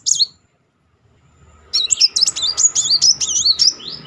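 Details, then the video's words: Brown-throated Sunbird in continuous rolling song, used to stimulate a stalled singer: a brief high note, a second of quiet, then a dense, shrill, zigzagging trill lasting two seconds. "Kolibri Muncang gacor ngeroll"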